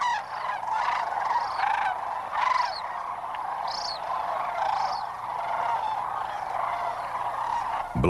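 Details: A massed flock of Sandhill Cranes descending on a river roost at dusk during the late-winter/spring migration gathering gives rolling, trumpeting calls that merge into a steady roar, with individual rattling bugles rising above it now and then.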